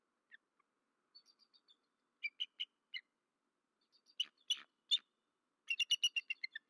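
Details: Male bald eagle at a nest in Rome, Georgia, vocalizing after midnight on 13 March 2024, following a disturbance that made the female wing slap; scattered high thin squeaks and sharp notes, ending in a quick chattering run.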